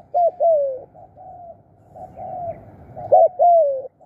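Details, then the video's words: Decoy spotted dove calling birds in: loud paired coos, a short clipped note and a drawn-out falling coo, at the start and end, with fainter answering coos in between. "ตามนกเรียกคู รู้ครุน นกเก่ง"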